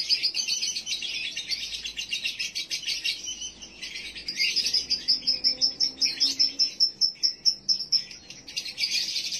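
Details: Call meant to bring a male lovebird into breeding condition: sustained high, rapid chattering, turning into a pulsing series of sharp repeated notes, then more dense chatter.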